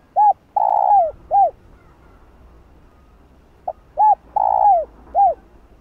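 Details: Spotted dove cooing, used to excite other doves: two three-note phrases, a short hooked note, a long buzzy descending coo, then another hooked note, about three seconds apart, over faint low background hum.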